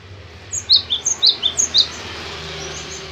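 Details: Cinereous tit giving a short burst of six high, sharp, evenly spaced chirped notes lasting about a second, with a soft low hum behind.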